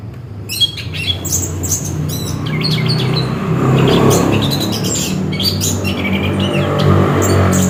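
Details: Orange-headed thrush (anis kembang) singing: rapid, varied bursts of sharp high chirps and short whistled notes, tumbling together almost without pause, over a steady low hum.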